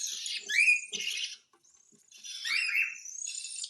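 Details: Hand-fed cockatiel begging in two scratchy, hissing bursts separated by a short silent gap, with a rising squeaky note in the first burst.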